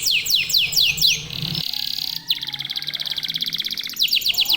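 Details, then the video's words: Local domestic canaries in vigorous song: quick descending whistled sweeps, a steady buzzy held tone, then a rapid pulsed roll ending with more falling sweeps, over a faint low hum. "KENARI LOKAL GACOR TOTAL, SEMUA IKUTAN BUNYI"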